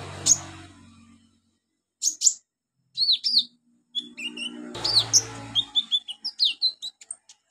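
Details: Olive-backed sunbird (konin, 'kolibri ninja' style) in a training recording meant to get beginner birds singing: sharp, very high chirps and thin trills in short bursts, with silent gaps between them, some faint low hum.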